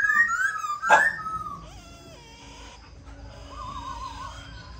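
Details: Black-throated laughingthrush in Vietnam, recorded to stimulate other birds to sing, gives a song of clear, varied whistled phrases, some sliding and warbling, with a sharp burst near the start and a faint room hum behind.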